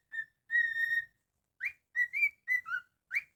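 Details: Pet cockatiel whistles a short melody. One brief note and one long steady tone are followed by a sequence of rising and falling slurred notes, all clear and tonal, with silence between the phrases.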